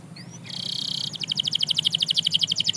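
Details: Canary singing to inspire other canaries to sing again: a short high note, then a buzzy trill, then fast, even, repeated high pulses, about eight per second.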